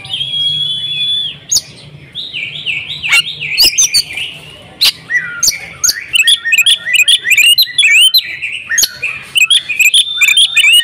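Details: A female Oriental magpie-robin calling to the male: a steady held tone and quiet notes at first, then a lively run of rising whistles and chips over the second half.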